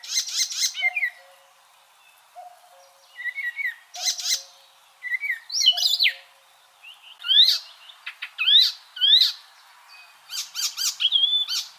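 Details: Icterine warbler delivering separate bursts of song with pauses between: dense chattering clusters, squeaky twitters and sharp upward-flicked notes, roughly a burst every second or two.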